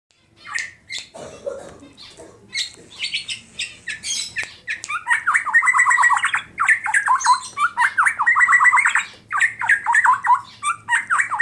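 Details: Tame Black-naped Oriole from Klaten, Central Java, singing actively with full isian (fill phrases): chattering notes, then rapid runs of buzzy downslurred notes near the middle pitch in repeated bursts, with faint indoor background.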